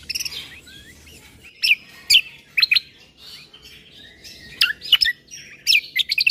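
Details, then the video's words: Bulbul song in a combo mix for exciting listening birds: scattered loud high chirps separated by pauses, closing in a tight cluster of quick notes. "Suara Keciasl Kombo Isian Mewah Sekali Putar Bikin Emosi Burung Yang Dengar Auto Ribut"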